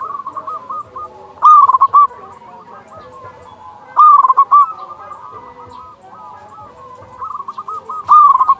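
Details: Zebra dove, local type with a big voice, sung to prompt other doves to call. Loud stuttering coo phrases come roughly every 2.5 s over a steady bed of fainter rolling coos from further doves.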